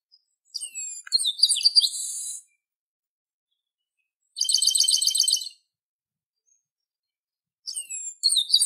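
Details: Chestnut-capped blackbird, called garibaldi or papa-arroz in Brazil, giving three song bursts: descending whistled notes leading into a harsh buzz, a dense rapid rattling trill midway, and another whistled-then-buzzy phrase at the end; no background noise.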